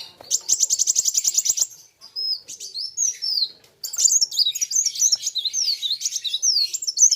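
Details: Kolibri wulung sunbird facing a rival in full song: a rapid buzzy high trill of even pulses, a pause, a few thin slurred notes, then a lively string of sharp zigzag chirps.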